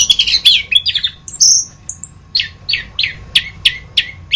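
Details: Orange-headed thrush in a masteran tutor recording: a jumbled run of high warbled notes and a long thin whistle, then a string of about seven sharp, evenly spaced downslurred chips.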